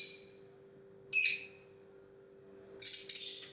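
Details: Lovebird with two short, harsh, high screeches separated by silence, the second longer and buzzier, over a faint steady low hum.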